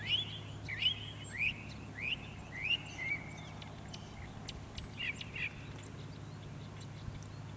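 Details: Northern mockingbird singing on Cape Cod, Massachusetts, 14 October 2023: a quick series of about six repeated rising slurred notes, then softer mixed phrases and clicks, against constant low-pitched background hum.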